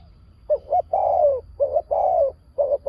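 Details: Decoy spotted dove gives close, sharp pak khruen coos: a short doubled note and then a long, slightly falling coo, repeated twice in quick succession.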